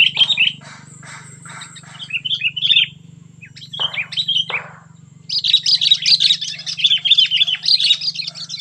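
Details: Sooty-headed bulbul in 'cengkram' song style, called super fierce: several bursts of rapid chirpy, warbling notes separated by brief pauses, ending in a long dense chattering run, over a steady low electrical hum.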